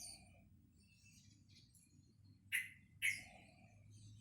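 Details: Caged juvenile sooty-headed bulbul learning to sing, a bird that was silent and shy of people when acquired at two months old. Two abrupt chirps half a second apart follow faint high warbling, with low background hum.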